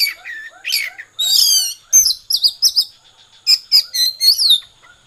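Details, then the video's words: Konslet-style song of an Oriental magpie-robin: dense runs of sharp, high chirps and slurred whistles in quick bursts, some notes rising and falling, with faint softer repeated notes underneath. "kacer konslet"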